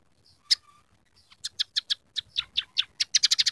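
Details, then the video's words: Scaly-breasted munia giving a series of sharp, harsh chirps that quicken toward the end, over a faint background hiss. "masteran burung emprit peking gacor isian suara kenari kasar"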